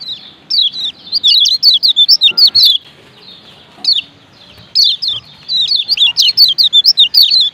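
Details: Rapid high chattering chirps of a male Lombok lemon-bellied white-eye, long fast runs of wavering squeaky notes broken by a few isolated chips.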